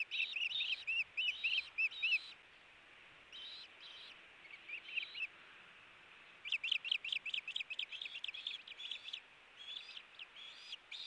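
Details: A pair of ospreys struggle over a fish at the nest, filmed by a nest camera on 8-4-18. Fast strings of piercing, high chirps come in bursts, fading to a lull midway before rapid calling resumes.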